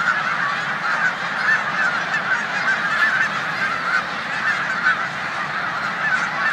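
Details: Migrating snow geese on final days of rest in a corn field on Olmstead Road, Savannah, New York, March 2020, alongside resident Canada geese; continuous yelping honks from a huge flock, evenly loud throughout.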